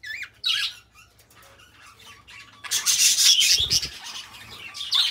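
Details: Pet budgerigars, two companion budgies, chattering: scattered squeaky whistles and rising chirps, then a loud burst of rasping, buzzy warbling chatter from about the third second, with faint low thumps.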